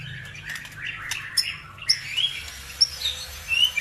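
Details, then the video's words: Bird sound used as a lure to provoke other birds into singing: scattered high chirps and short sharp notes, irregularly spaced, with a low background hum. "PANCINGAN SUPER AMPUH CUKUP HITUNGAN DETIK LANGSUNG NYAUT BIKIN EMOSI BURUNG NAIK IKUT GACOR"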